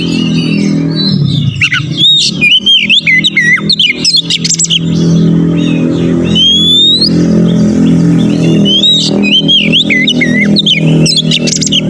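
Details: Oriental magpie-robin (kacer) singing as a lure to provoke rival males. Quick looping whistles and high upswept notes repeat throughout over a strong, steady low droning sound.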